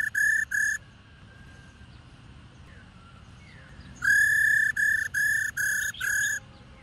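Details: Female black-throated laughingthrush calling to prompt males to sing. Two short ringing whistles, a quiet gap with soft sliding notes, then a long steady whistle followed by three clipped repeats.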